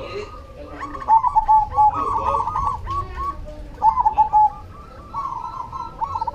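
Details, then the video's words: Vigorously singing cemani zebra dove giving bursts of soft, stuttering coos that run into purring trills, several phrases overlapping closely over a low background hum. "SUARA PERKUTUT CEMANI GACOR"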